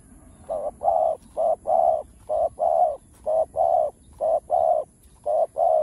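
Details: Spotted dove cooing rapidly: six paired notes, each a short hoot followed at once by a longer even coo, repeated about once a second in steady rhythm, with a faint background hum.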